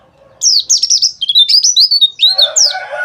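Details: White-eye singing dakbal, a therapy track for stirring other white-eyes: a fast, unbroken chatter of high, sliding, squeaky notes, with a lower rough grating sound joining near the end.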